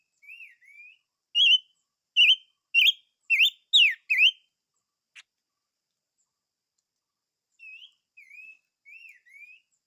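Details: Silver-eared mesia song: soft wavering whistles open, then five loud, emphatic slurred whistles that swoop downward, a pause, and a few softer rising whistles to close.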